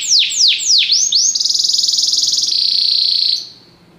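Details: Training song from a Belgian canary: three or four strong falling sweeps, a rising slur, then a fast rattling buzzy trill held for two seconds before it stops abruptly and fades.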